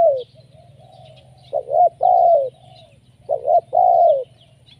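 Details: Spotted dove used as a lure call; two low cooing phrases, each a quick double coo followed by a long, drawn-out falling coo, with a soft steady low hum beneath.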